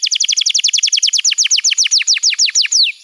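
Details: A steady run of quick double-toned descending notes, about eight per second, ends in one long falling slur. Canary song used to train young birds and to get silent canaries singing.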